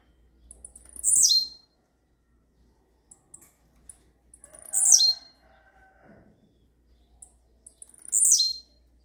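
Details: Blue-black grassquit in campainha-style rare song: three abrupt, high buzzy downward-sliding phrases roughly every three and a half seconds, separated by scattered faint clicks and soft low background tones.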